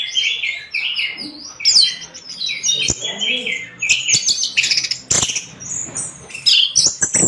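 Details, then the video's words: A continuous, varied song from an orange-headed thrush used to train other birds: rapid high chirps, whistles and slurred notes follow one another without break, with scattered clicking knocks. "MASTERAN SUARA BURUNG ANIS MERAH GACOR"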